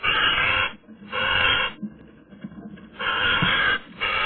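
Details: On a sunny day a Eurasian magpie voices a run of long, noisy, grating rasps, three main bursts with softer rustling and faint low sounds in the gaps.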